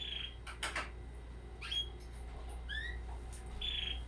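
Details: A 20-day-old red canary chick gives a few short, high chirps, some rising and some falling quickly, spaced irregularly over a low steady hum.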